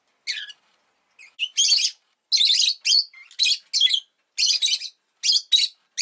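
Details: Pet rosy-faced lovebird kept indoors, recorded after an egg was laid, giving shrill, harsh chirps in quick irregular bursts, several sharp notes packed together with short gaps, about one call per second.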